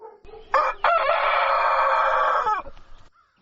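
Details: Rooster crowing at daybreak, a harsh, broad, rasping cock-a-doodle-doo held for about two seconds after two short opening bursts, then fading away.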